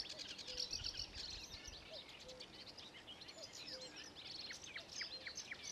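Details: Sedge warbler singing at Ilmatsalu on 26 May 2017: a fast, scratchy, chattering song of varied high buzzes and trills, with a soft low note repeating faintly behind it every second or so.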